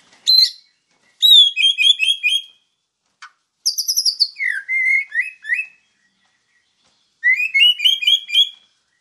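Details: White-rumped shama in full song, a master recording for training other birds: bursts of clear rising whistled notes around two to four kilohertz, repeated in phrases separated by short pauses, with a brief click between phrases; no other sounds.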